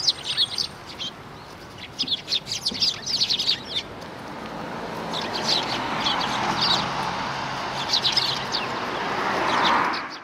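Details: Sparrows chirp in a busy burst of quick high notes during the first few seconds, then fade beneath rising broadband street noise; recorded at a shrine approach on 12 December 2019.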